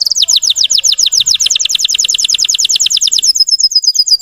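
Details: Russian canary singing to provoke other canaries: a long, rapid series of down-slurred chirps repeated many times a second, closing in a thin high trill.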